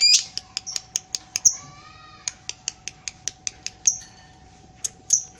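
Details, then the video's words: Lovebird in long ngekek, tail moving: crisp high clicks in uneven runs with loud piercing squawks mixed in and a short pause midway. "Love bird paud ngekek panjang ekor main"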